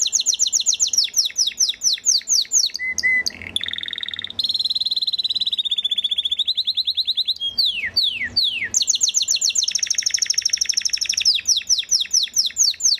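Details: Long passage from a galador Belgian canary: rapid chattering trills, a brief low stutter, a sustained warbling roll that slowly drops in pitch, swooping downslurs and renewed fast trills.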